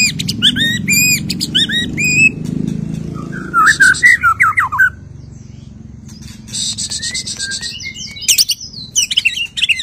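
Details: White-rumped shama after moulting, singing a varied medley: whistled rising and falling notes, rapid buzzy trills and sharp high chips, with a low rumble of traffic underneath.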